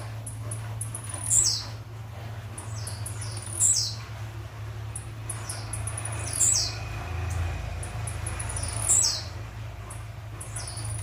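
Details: Metralha-style song of a blue-black grassquit: four sharp, high, downslurred notes repeated roughly every two and a half seconds above a constant low rumble.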